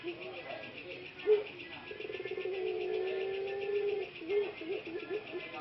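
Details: Caged male ringneck dove (puter pelung) in Indonesia, one of three breeders recovering hoarse voices: short clipped notes build into a long sustained low coo, then broken stuttering notes, with a faint steady hum behind.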